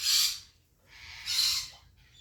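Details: African grey parrot producing two strong, airy hisses about a second apart, then a fainter breath.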